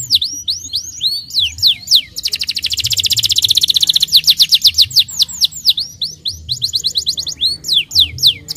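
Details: Starblue canary song meant to coax young canaries to sing quickly and roll: steep falling and rising whistled sweeps, a long rapid buzzy trill in the middle, then more looping slurred notes and quick repeated chips.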